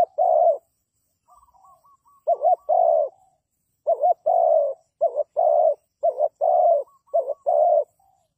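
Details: Spotted dove calling as a trapping decoy. Low mellow coos are repeated steadily: each phrase is a quick doubled note followed by a long drawn-out coo, about five phrases in eight seconds, with a faint thin whistle between them.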